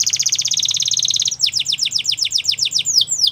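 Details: Belgian canary delivering a fast high rattling trill followed by a string of quick downslurred whistled notes repeated several times a second, faint low hum underneath.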